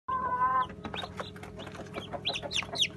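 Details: Newly hatched Brahma chicks, dated 18 August 2018, give thin, high peeps that sweep downward near the end. Earlier there is a steady tonal hum with overtones, and scattered clicks and rustling run underneath throughout.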